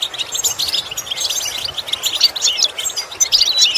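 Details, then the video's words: European goldfinch singing in a song-improvement lesson: lively, bubbling twitter of rapid chirps and liquid trills, rising and falling in quick bursts without real pauses. "Training The Goldfinch To imitate Sounds Useful Lessons to improve Song"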